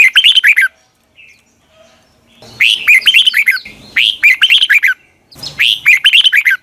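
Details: Morning song of a red-whiskered bulbul, long double-twisting voice style, recorded as decoy song for training birds. Four rich, fluty phrases arrive in quick succession, each swooping up and rippling downward through rapid bubbly notes.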